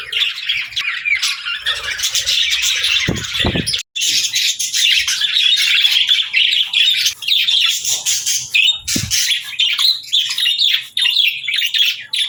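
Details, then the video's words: Budgerigars singing: a long, unbroken stream of buzzy warbles, chirps and occasional harsher squawks, with a couple of low thumps and one brief dropout. "Budgies Singing"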